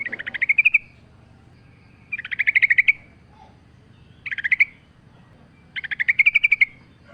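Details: Sooty-headed bulbul, recorded as a prompting lure with natural ambience, gives four short rolling phrases of quick chirps, each rising a little, repeated roughly every two seconds over a soft low hum.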